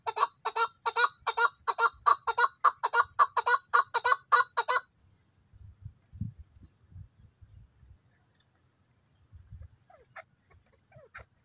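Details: Male desi chukar partridge calling in high spirits in good weather: about eighteen loud, rasping chuck notes, evenly spaced roughly four per second for five seconds, then near silence with faint low rumbles and a few soft distant chirps.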